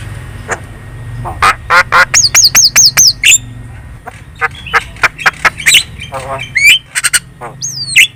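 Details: Javan myna singing a busy lure song to set off replies from other birds: harsh clicks, a series of five looping whistled notes, then fast rhythmic chattering chips and twisting whistles.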